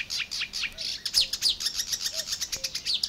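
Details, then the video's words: Matsalu water-meadows and coastal pastures, USSR, 1979: a Marsh Warbler delivers rapid, dense high twittering and descending buzzy notes, several per second, with faint low whistles behind. "Marsh Warler"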